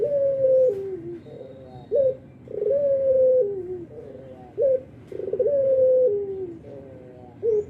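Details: Vocal albino Barbary dove cooing through morning, noon and night; three full phrases, each a short upswept note followed by a long level coo that slides down, repeating about every two and a half seconds.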